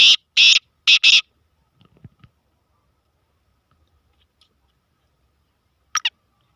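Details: Black francolin (kala tetar) giving a rapid run of four loud, harsh, scratchy notes in paired rhythm within about one second, then near silence with faint ticks, and a final short rasping double note.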